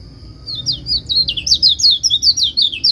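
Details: White-eye singing so that other white-eyes will join in: a quick, high, jumbled warble of slurred whistles, climbing slightly and speeding up through about two and a half seconds.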